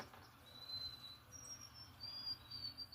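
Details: An unidentified bird singing a pretty little tune in the morning: faint, thin, high whistled notes held steady, each a little higher than the last, over a soft steady background hiss and low rumble.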